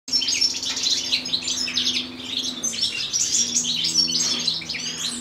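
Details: Common chaffinch parent feeding its chick: a dense stream of short, high, overlapping chirps and tweets runs throughout, with a steady low hum underneath.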